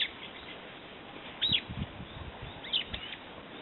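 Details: Brown-eared bulbul giving two brief, squealing high calls about a second apart, each a quick shrill twist of notes, with faint low thumps beneath.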